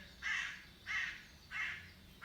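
A crow gives three harsh, hoarse caws, each about a quarter second long, spaced roughly two-thirds of a second apart, over a quiet background.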